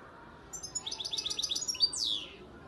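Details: Song of a 2019-hatched young European goldfinch from Antalya, Turkey: after a quiet start, a rapid, even trill of about a dozen bright chirped notes, then a sharp accent and a buzzy, descending slurred phrase, in a quiet room.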